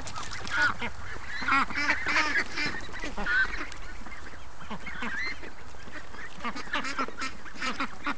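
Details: A flock of free-range ducks calls in the morning with a busy wash of harsh, overlapping quacks. A few clearer high squeaky notes cut through early on.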